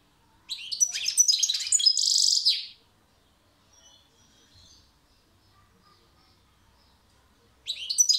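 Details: European goldfinch song: a rapid burst of high, twittering and tinkling notes lasting about two seconds, ending in a buzzy, harsh phrase, then near silence before another twittering burst begins at the end.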